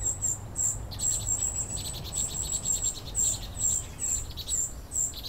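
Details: Immature common cuckoo being fed by its vinous-throated parrotbill foster parent (brood parasitism) gives thin, very high, hissing begging notes in quick bursts, over two per second, with a low rumble of background noise.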